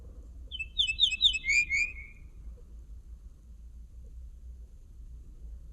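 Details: One linnet song phrase made of fast chirped notes ending in a sliding, downward whistle, followed by several seconds of quiet with only faint low background noise.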